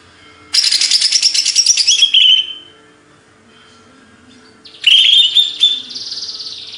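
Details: Greater green leafbird, Banyuwangi, Indonesia, delivering an energetic chattering phrase of fast high chirps that slides into a downward whistle, then after a pause a second bright whistled phrase with trailing buzzy notes.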